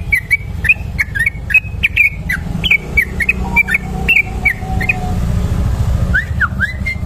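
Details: Yellow-vented bulbul, locally trucuk kebo, singing a long continuous 'ropel' song used as a lure recording: rapid chirpy whistled notes, repeated quickly and rising and falling, over a loud low rumble of traffic.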